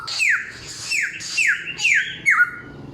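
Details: Indoor samyong song made of five loud downslurred whistles, each sweeping from high to lower pitch, spaced roughly half a second apart.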